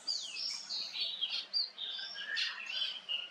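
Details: A male cut-throat finch gives a steady run of thin, chattering chirps and short warbled notes, high-pitched and nearly continuous across three seconds.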